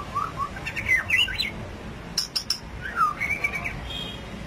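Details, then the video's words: White-rumped shama in the 'rít thuốc lào' song style: warbled rising and falling whistled phrases, a quick burst of three sharp high notes, then a descending slur into a rolling whistle, over a hissy background. "chòe lửa đuôi tôm hót rít thuốc lào"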